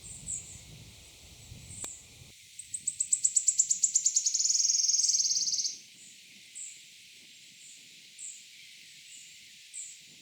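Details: Wood Warbler singing in woodland at Gilfach Nature Reserve, mid-Wales, June 2024: high ticking notes speeding into a dry, shivering trill about a second and a half long; faint high calls from another bird repeat throughout.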